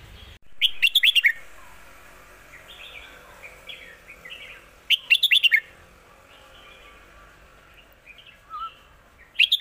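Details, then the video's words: Red-whiskered bulbul repeating its 'Lak Wai' master song: three loud phrases of five or six rapid, ringing whistled notes about four seconds apart, with soft warbling between them. "นกเสียงทอง!!เพลงลากหวาย สุดยอดเพลงแม่บท"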